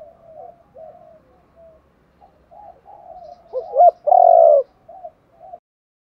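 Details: Spotted dove cooing used to lure wild doves. Quiet, wavering murmurs build into two quick rising notes and one loud, sustained low coo. A few soft notes trail after it.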